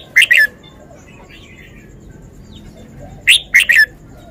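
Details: A red-whiskered bulbul, kept caged in Thailand, shows its song style: two crisp, fast three-note whistled phrases about three seconds apart over a quiet background.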